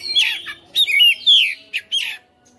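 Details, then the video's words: Caged white-rumped shama singing a short loud burst of rich whistled slurs, buzzy rasping notes and sharp chips in quick succession. "KACER RUMAHAN FIGHTER NGOTOT | GACOR | BONGKAR ISIAN"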